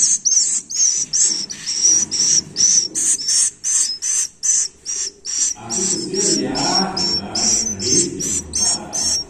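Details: Nestling swiftlets keep up a fast train of piercing high chirps, roughly two or three per second. A broad, muffled low rumble joins in during the second half.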